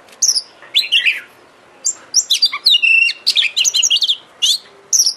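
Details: Oriental magpie-robin, kept as a songbird and played to provoke a caged bird to sing, giving a varied, rapid song of sharp whistles, chirps and harsh notes in quick bursts with short pauses.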